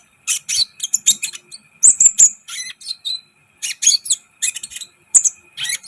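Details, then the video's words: Sunbird (kolibri ninja) in energetic song for rousing other birds; dense bursts of high, scratchy chirps and twitters broken by brief pauses, with a thin whistled note near the middle. "Masteran KOLIBRI ninja gacor , agar CEPAT EMOSI"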